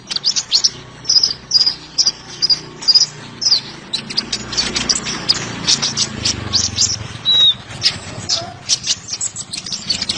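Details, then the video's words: Sunbird, known locally as kolibri ninja, in a recording meant as tutor material for training songbirds. Rapid high, thin chirps and short twittering phrases repeat in bursts over a steady low rumble of background noise. "Suara Burung Terbaru 2020 - Kolibri Ninja (Konin) Cocok Untuk Masteran"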